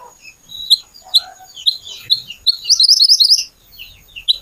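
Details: Little pied flycatcher song used as a lure to make other birds sing: varied high chirps and short whistled notes, building into a dense rapid twittering burst around the middle, then scattered notes.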